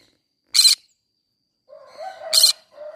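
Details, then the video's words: Green-cheeked conure in a flower garden giving two loud, harsh, raspy screeches about two seconds apart, the second preceded by softer lower chattering notes, with more chatter at the end. "green cheek conure singing sounds"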